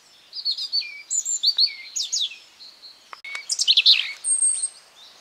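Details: A European robin singing in spring in a garden gives two quick phrases of thin, high, tumbling warbles with sliding notes, separated by a brief pause; nothing else stands out.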